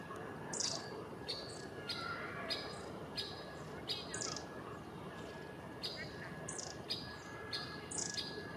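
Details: A great spotted woodpecker, probably a very vocal female, unseen in trees near the Albert Memorial, gives sharp, high 'kik' notes every half second to second, with long-tailed tits' thin calls and steady rushing background.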